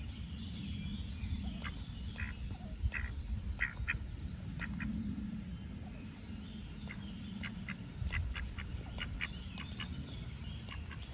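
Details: Several curious ducks at a summer pond in warm sunshine. Scattered short quacks in the first half, then a denser run of quick overlapping quacks later, all over a low rumbling wind-like background.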